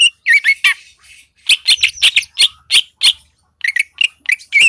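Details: Greater green leafbird of Seulawah valley, Aceh, singing vigorously: a few whistled notes, then mostly rough squawking chatter in short spaced bursts, ending with sharper chirps.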